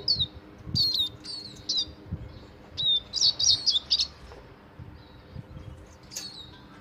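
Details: Caged finch (serin), described as singing to stimulate a female for mating: bright, high, chirpy phrases in short bursts of quick twittering notes with pauses, over a faint low background hum.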